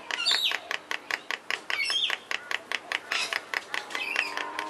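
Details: Captive pair of Princess Parrots, male on the left, recorded May 2, 2011: rapid, harsh chattering notes repeated several times per second with a few rising squeaks, continuing steadily throughout.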